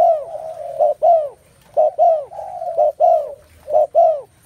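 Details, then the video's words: A space full of spotted dove calls: loud, throaty coos in pairs and runs, each note swelling then dropping, with short pauses between bursts. "tiếng chim cu gáy"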